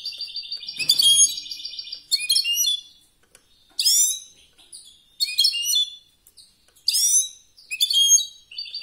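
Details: European goldfinch competition song, high twittering and buzzy phrases above 2k, fast trilled notes early, then short bursts of descending chirps separated by brief pauses.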